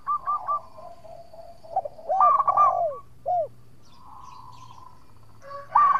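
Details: Local zebra dove, a lure bird meant to make rival doves answer, giving soft mellow cooing notes. Short rounded and upward-arching coos come in scattered bursts, with a brief pause between groups, over a quiet background.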